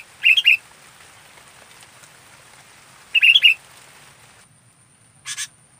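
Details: A local sooty-headed bulbul sings actively, recorded for song training. Short bubbly phrases of three or four quick liquid notes come about three seconds apart. A steady faint hiss and a brief click follow near the end.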